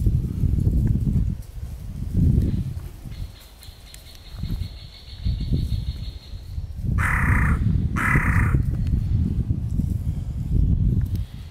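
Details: Crows fighting over peanuts on a territory border: two harsh, broad caws about a second apart, rising out of heavy rumbling wind noise.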